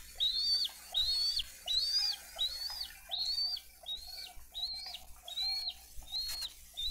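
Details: Dade County bald eagle nest, 22 April 2023, parents bringing fish and feeding young: a series of high, clear arched whistles repeated at an even pace of about one per second, over a low rumbling background and soft rustling.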